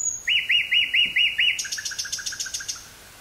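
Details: Nightingale song from woodland near Burgh-Haamstede in the Netherlands, May 18th 1983, portable cassette recording: a high thin whistle, a run of six repeated chirping notes, then a quicker series of clipped high notes fading out.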